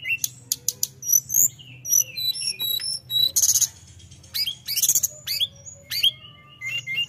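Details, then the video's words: A tledekan's provoking song, bright and varied. Spaced ticks and short whistles are broken by two harsh buzzy bursts and then scattered high slurred notes. "Kicau Burung tledekan full gacor ‼️merangsang emosi Lawan"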